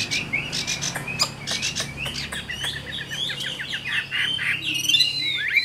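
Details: Chinese hwamei, a wild-caught mature cage bird in Vietnam, sings softer staccato notes and short warbled phrases over a low background hum, ending with thin high whistles.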